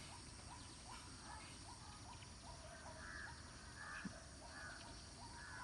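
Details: Lesser whistling duck family group calling: short, thin whistled notes repeated about once a second, with some notes a little higher, over a steady hiss of outdoor background noise.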